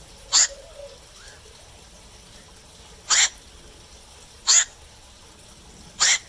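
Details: Black-crowned night heron calling in darkness: four raspy, abrupt croaks at irregular intervals over six seconds, with a faint lower sound after the first.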